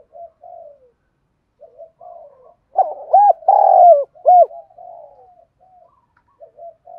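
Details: Đồng Pha style cooing of a spotted dove, meant to provoke rival doves to answer and fight. One loud phrase in the middle has clipped opening notes, a sustained falling coo and a final rounded note. Faint low coos come before and after it.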